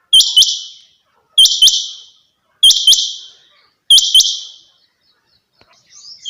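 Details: Female quail call, known locally as madi or chinga batair: crisp double chirps, each trailing into a brief rasp, in a steady series of four pairs about 1.3 seconds apart. A faint high squeak sounds at the end.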